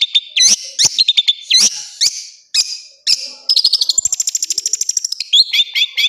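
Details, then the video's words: Long-tailed shrike master song for training other birds, full of varied phrases: sharp whistled notes and clicks, brief pauses, then a rapid rattling trill of high buzzy notes and more whistled slurs. "Masteran burung cendet terbaik full isian."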